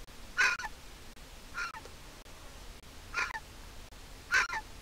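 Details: Young griffon vulture at a nest in Israel, offspring of a handicapped pair, begging for food from its mother. Four raspy squeals spaced about a second apart over a quiet, hissy background.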